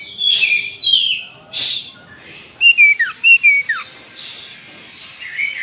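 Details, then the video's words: Oriental magpie-robin singing with its tail spread: two harsh buzzy bursts, then a crisp series of sharply falling whistled notes and a soft warble, over a faint steady high hum. "kacer gacor buka ekor"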